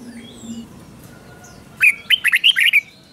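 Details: Caged red-whiskered bulbul singing a lively phrase for young birds to copy: after faint background tones, a quick burst of five or six bright, warbled, up-and-down notes lasting about one second.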